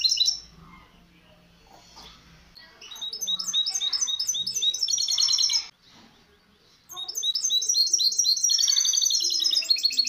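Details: Training song of a misto hybrid canary meant for teaching fledglings, with a quiet start, then dense rapid high trills and repeated chirps, a brief pause near the middle, then more fast rolling phrases.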